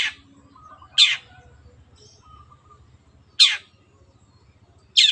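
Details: Long-tailed shrike (cendet) in a clear-voiced training recording for pet birds to imitate. Three scratchy downslurred notes are widely and irregularly spaced, with a soft low rumble beneath.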